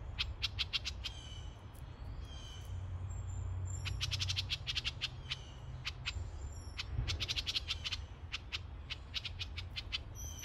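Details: A house wren recorded at close range gives rapid, scratchy chattering bursts in several runs of a second or so, with a few thin high notes, over a steady low rumble.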